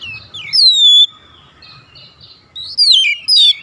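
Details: Oriental magpie-robin calling others, which answer: a long clear whistle sliding downward, then soft warbling and fresh bursts of bright, falling whistled notes.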